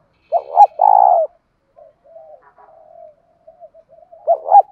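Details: Spotted dove calling in the 'thổ sấm' voice, a lure call for wild doves: a two-part stuttered note and a long vibrating coo, soft low murmurs, then another stuttered double note.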